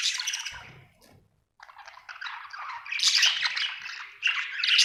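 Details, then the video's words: Pet budgerigar, described as happy, chirping loudly at first, then falling briefly silent before resuming a rising, scratchy warble that grows louder toward the end. "Happy budgie chirping sound"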